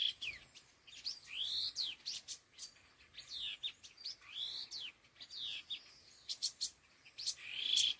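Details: Khứu lùn laughingthrush calls in the 'đôi hung gọi đằng' style. Clear arched whistles alternate with rapid chirps and steep falling slurs in repeated phrases.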